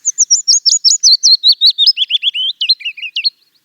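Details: Song of a Willow Warbler from wooded country: a quick cascade of clear, looping whistled notes, loud from the start and drifting downward in pitch, ending with a few lower twisting phrases after about three seconds.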